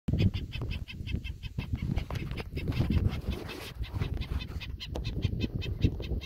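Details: A probable Black-necked Stilt on a sod farm near Indiantown, Florida, an adult guarding at least one chick, agitated by an approaching person, gives a rapid, nasal yapping series of several sharp notes a second over heavy wind rumble.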